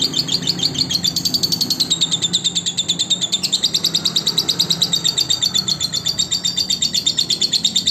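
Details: Lovebird song meant as a master recording to teach other lovebirds: continuous fast, high chirping chatter in regular pulses, bright and buzzy, over a faint low hum.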